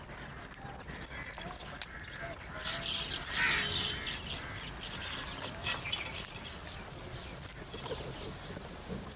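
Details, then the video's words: A large number of crows eating cheese nimko and fighting over the food; harsh, overlapping raspy calls swell into a loud cluster midway, then continue more sparsely, with faint outdoor background noise. "Large Number of Crows are Eating and feeding cheese Nimko, crow sounds"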